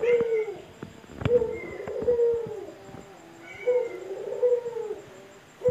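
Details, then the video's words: Indoor male Barbary dove, free in a house, giving low rolling coos, two long phrases with a pause between, against light clicks and knocks in the room. "puter jantan gacor"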